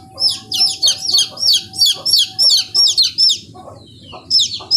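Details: Shrill peeping from 15-day-old chicks: about a dozen quick descending cheeps, then a quiet spell before one last peep, over a soft low drone.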